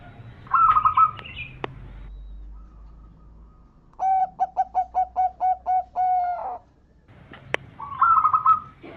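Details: Local zebra dove singing a lure song meant to draw answers from other zebra doves: a bubbling trilled phrase, then a rapid even string of about nine short coos, and the trill again.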